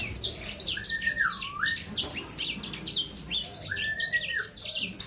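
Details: Young Sangihe hanging parrot about three months old sings a rapid run of high chirps and twittering notes, broken by two drawn-out whistled slurs that dip and rise. A low hum sits underneath.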